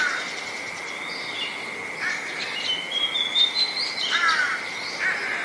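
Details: An adult Common Tailorbird in Ubon Ratchathani, Thailand, on 20 April 2022, gives sharp, high chirps and short rising notes at an uneven pace, over a steady high insect-like whine.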